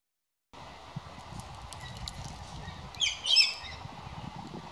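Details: Galah giving a brief harsh, raspy screech partway through, standing out over steady broadband background noise.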